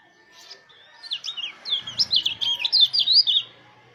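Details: Used to coax other white-eyes into song, a mountain white-eye delivers a lively run of rapid, sweeping high twitters, about three per second, with a low hum underneath.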